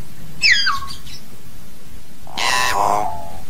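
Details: Hill myna calling to gather its flock: a quick, sharply falling whistle, then after a pause a long, harsh, rasping screech with a buzzy, nasal edge.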